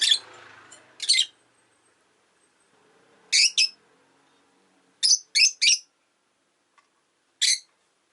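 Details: On a relaxed afternoon a pet rosy-faced lovebird utters scattered harsh chirps in pairs and triplets, separated by quiet gaps, with a soft low rumble of background noise at the start.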